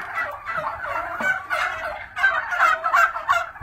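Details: Black Spanish turkeys at a hatchery gobbling together, a rough, bubbling rattle of overlapping calls that swells louder in the second half.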